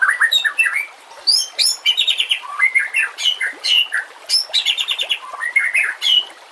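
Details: White-rumped shama song for training other birds: dense bursts of chirpy whistles and high ringing notes, delivered in quick clusters with short pauses between.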